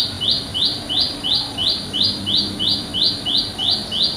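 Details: Wild olive-backed tailorbird in village countryside, giving a loud call that draws other birds to answer and approach: a series of about eleven sharp, rising, buzzy notes repeated evenly, roughly two and a half per second, over a faint steady background hiss.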